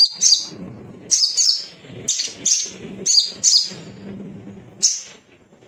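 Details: Little spiderhunter song from a male bird, used to prompt other birds to sing: clipped, high chirps in pairs and short groups with brief gaps, over a soft low background hum.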